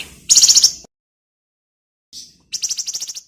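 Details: Flamboyan bird song used for tutoring magpie-robins: two loud bursts of rapid, high, rattling trilled notes separated by a silent gap and a brief soft chirp.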